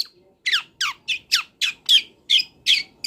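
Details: Wild long-tailed shrike singing, recorded for training songbirds: a steady series of about nine harsh, downward-sweeping scratchy notes, spaced roughly every third of a second.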